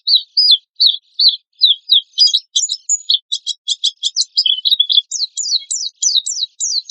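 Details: Oriental white-eye giving lively 'gacor' lure song in harsh 'tembakan kasar' style: evenly spaced high chirps at first, building into rapid rattling trills and finishing with repeated steeply falling whistled notes.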